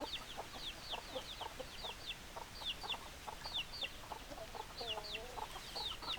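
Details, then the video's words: Chickens, hens clucking among roosters: a busy flock giving many short, sharp downward chirps mixed with lower clipped clucks, overlapping continuously over steady background hiss. "Chicken Sounds Noises Hens Clucking Roosters Crowing"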